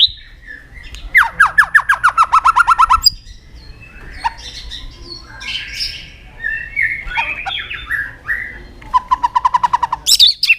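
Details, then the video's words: White-rumped shama song used as a lure to prompt silent or young forest shamas to sing: loud bursts of rapid, evenly repeated sharp notes, varied squawky and whistled phrases in between, and a final high trill. "pancingan murai batu gacor bikin yang lain DOWN!!pancingan burung murai batu nyaut"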